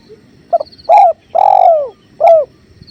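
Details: Spotted dove, calling steadily, gives a four-part phrase by a clear river: a quick doubled note, a firm coo, a drawn-out falling coo, and a clipped last note, over a low watery rush and faint high chirping.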